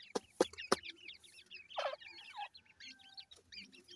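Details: Grey francolin chicks chirping in short wavering peeps after three loud knocks, with one louder harsher note near the middle and soft background tapping.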